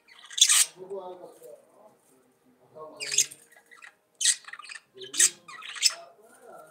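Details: Budgerigars give short, scratchy squawks and harsh chirps in bursts about a second apart, with soft warbling chatter between them, in a quiet indoor setting.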